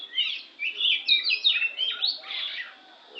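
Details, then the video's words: Lampung oriental magpie-robin in fast, dense song, tumbling whistles and slurred notes packed closely together, fading toward a pause at the end. "suara burung kacer"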